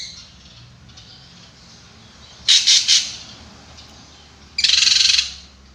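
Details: Drongo giving a stuttered trio of harsh rasping notes, then a longer grating buzz, against a steady low background hiss.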